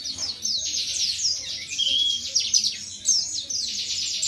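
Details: Indonesian pleci white-eye, wiksar type, delivering 'tembakan materi' singing: fast, squeaky high chatter with downslurred notes and a few clearer whistled tones, faint low rumble underneath.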